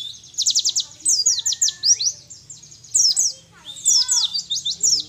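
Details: Young wild-caught mountain white-eye from Mount Ciremai, Majalengka, West Java, after one month of song training, beginning to pick up the 'nembak' style: rapid, very high chirps and swooping whistled notes in dense bursts, with a faint low hum beneath.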